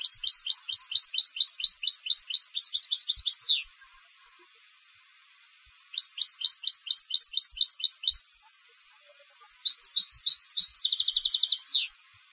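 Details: Three energetic song bursts from a competition goldfinch, dense metallic twittering with rapid repeated notes, the last including a tight buzzy rattle, each phrase closing with a downward slur.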